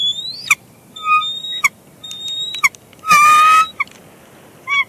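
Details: A mated pair of bald eagles chatters at the nest, Big Bear Lake, 1 March 2021, during a shift change. Thin whistled notes and sharp clicks are followed by a loud harsh harmonic squeal and a final short chip.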